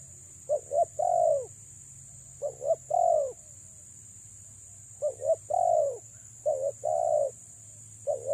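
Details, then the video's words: Female spotted dove giving its luring coo: phrases of two quick clipped notes and a longer falling coo, repeated about every two seconds, with a steady shrill whine underneath. "BURUNG TEKUKUR BETINA PREM4N MENGH4JAR PIKAT"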